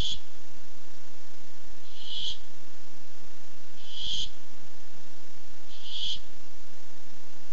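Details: A Barn owl that came by looking for food (8-7-15) calls with repeated hoarse, hissing screeches, about five of them roughly every two seconds, over low constant hum.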